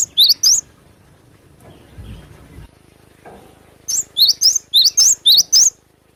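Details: Cinereous tit singing actively in the wild with sharp bursts: three high zigzag whistles, a pause with faint rustling, then a quick run of about eight bright repeated notes that rise and dip sharply.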